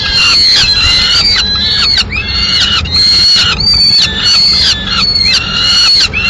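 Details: Peregrine falcon at a nest in Madrid, 15 May 2016, as the male arrives with a still-living swift that the female then finishes off. Loud harmonic wailing notes, slightly arched, come in near-continuous long runs with brief breaks.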